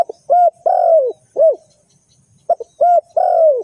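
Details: Lure bird for trapping: a spotted dove cooing in quick phrases of soft, mellow notes, a brief stutter followed by rounded coos and one long falling coo, repeated after a short silence.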